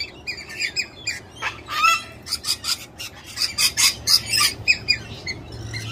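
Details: Several tame, unshy galahs (pink cockatoos) visiting in Australia: a rapid series of harsh, scratchy screeches and short chattering squawks, bursts tumbling over one another about twice a second, several birds calling together.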